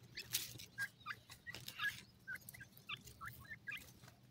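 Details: Pakistani grey francolin chicks feeding and playing: brief rising chirps repeated every few tenths of a second, mixed with scratchy broadband clicks and a faint low hum.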